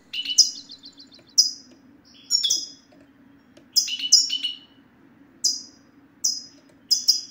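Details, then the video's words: European goldfinch song used to stimulate silent male goldfinches into singing: sharp descending high chirps repeated roughly every second, with a brief trilled run at the start and a faint low hum behind. "ستستة الحسون سوف تجعل الحسون ينطق رغم عنه"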